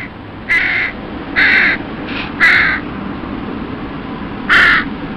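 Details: Juvenile crows in their family's breeding territory begging the adults for food, mostly without success: four harsh, flat caws spaced about a second apart, the last after a longer pause, over steady low background hum.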